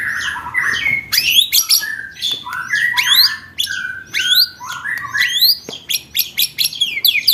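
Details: Contest-training recording of white-rumped shama song: loud, varied phrases of steep upward-sweeping whistles mixed with lower fluty notes, coming in quick bursts separated by brief gaps.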